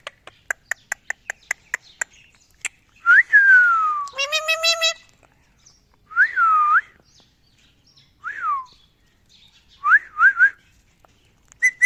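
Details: A pet Indian ringneck parakeet talking in a garden, giving a run of quick clicks, then loud falling whistles and a harsh honking phrase, repeated in short bursts every couple of seconds.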